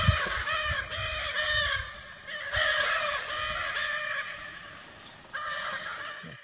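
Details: Wild Lear's macaws flying free in Brazil give a series of harsh, grating squawks. Each is a second or so long, separated by short gaps and fading toward the end, with low background rumble throughout.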